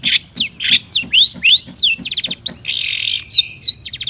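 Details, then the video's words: Long-tailed shrike in agitated, high-energy song meant to provoke other shrikes into singing: a fast, varied run of sharp downward-sweeping whistles, short clicks and harsh scratchy bursts, about three to four notes per second, with a faint low thump underneath. "cendet gacor AMPUH EMOSI TINGGI buat PANCINGAN CENDET AGAR BUNYI"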